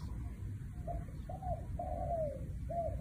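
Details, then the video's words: A single spotted dove phrase in the "1 kuk" style: a brief coo, a second coo, a long, smooth note sliding downward, then a clipped end note. All soft and low-pitched over a constant rumbling background. "1 กุก เพราะๆ ชัดๆ นกเขาใหญ่"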